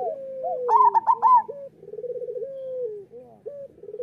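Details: Chorus of local zebra doves used to train others to sing: a loud burst of high warbling coos, then long trembling trills that sag in pitch, with other doves overlapping underneath.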